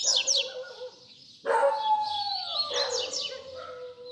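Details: Double-collared seedeater singing baderna, a song used to teach young birds: quick descending high notes, then louder mixed twittering with lower steady tones and faint background noise.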